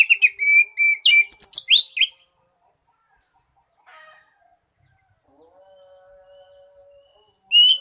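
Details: Oriental magpie-robin singing, played to prompt a silent bird to sing: two seconds of quick, piercing whistled and chattering notes, then near silence with a faint steady low hum, and a last sharp whistle at the end.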